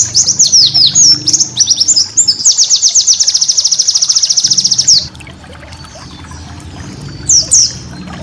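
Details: White-eye tutor song for training caged birds, opening with busy high chattering notes that run into a rapid, steady buzzing trill of about two and a half seconds, followed by near quiet and two late whistles.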